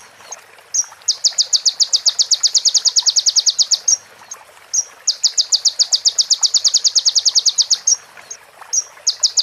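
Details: Crimson sunbird song, clear and original, mixing prinia-like phrases for training other birds: two long, high, strongly pulsed trills of about three seconds each, with brief chips before and after.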